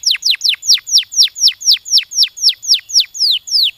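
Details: Canary giving a stimulating song: a steady series of clear, whistled notes, each sweeping sharply downward, about four per second with brief even gaps, thirteen notes in a row.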